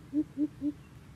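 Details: Coucals squabbling like chickens: three loud, deep, rounded hoots, evenly paced about a quarter second apart, clear against a low rumbling background.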